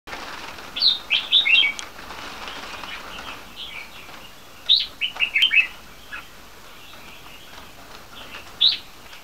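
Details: Three-month-old Red-whiskered × Yellow-vented bulbul hybrids give short bursts of bright, chirpy notes, a few quick phrases spaced several seconds apart, against a quiet background.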